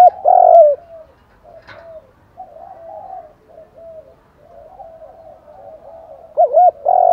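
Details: Male and female spotted doves calling to stir wild birds, with thúc, gù and gáy gọi styles: a loud mellow coo phrase opens and closes, and softer low cooing murmurs throughout between.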